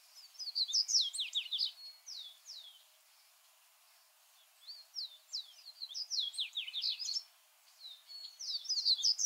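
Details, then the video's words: Ultramarine grosbeak young at feeding time: bursts of sharp, descending high notes, some slurred and squeaky, come in two or three clusters separated by short pauses, over a faint background hiss. "AZULÃO Alimentando filhotes"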